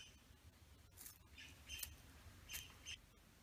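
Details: Male satin bowerbird (Ptilonorhynchus violaceus) in his bower with females gives five or six harsh, buzzy rasps and hissing squawks at uneven intervals over a low background rumble.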